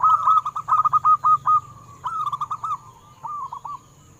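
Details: Local zebra dove song for prompting caged doves to sing: a rapid string of clipped, hooked coos, repeated in two shorter and quieter phrases, with a droning low hum throughout.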